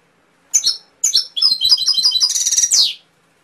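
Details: Canary singing close and loud: two short chirpy notes, then a fast, even trill of high, bright syllables that climbs into a higher, denser burst before stopping.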